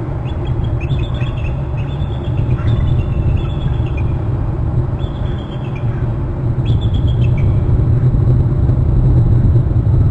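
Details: Eagles at their Hornby Island nest, the father arriving as both call and trill. Scattered high, thin, downward-sliding call phrases, fainter and sparser than before, stand above a heavy continuous low rumble.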